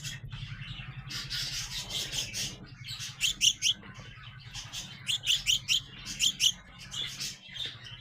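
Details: Young house sparrows, growing up, call in clustered bursts of sharp high chirps, three or four notes per burst, with softer twittering between and a constant low background hum.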